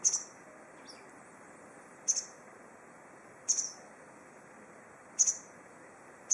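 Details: White wagtail (lugens) singing from a tree in Goryokaku Park: crisp, high, clipped double chirps recurring roughly every one and a half seconds, five bursts in all, over quiet background noise.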